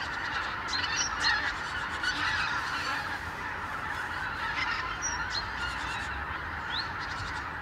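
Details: Thousands of geese overwintering on the Lower Rhine between Duisburg and Nijmegen, returning every morning from sleeping places to meadows; a broad, continuous clamour of overlapping honks, louder early on, with scattered clear yelps.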